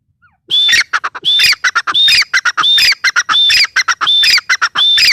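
A female grey francolin gives loud, harsh, squawking phrases, each with a thin high whistle, repeated fast, about every three quarters of a second.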